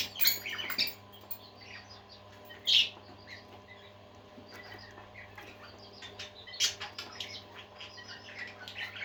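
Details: Budgerigars indoors make scattered short chirps and a few sharp squeaky calls among soft background twittering, with brief loud bursts near the start, about three seconds in and near seven seconds, over a constant low hum.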